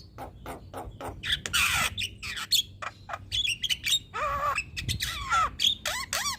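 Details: Javan myna, a caged bird kept singing day and night for use as a master and trigger for other birds; rasping squawks, clicks and downward-sliding whistles mixed in an uneven, busy sequence with faint background hum.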